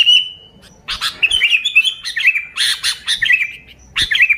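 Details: Vocal sooty-headed bulbul, with no other birds' songs mixed in, used to lure bulbuls: a short steady whistle, a pause, then a busy stream of bright, warbling chirps with clicks.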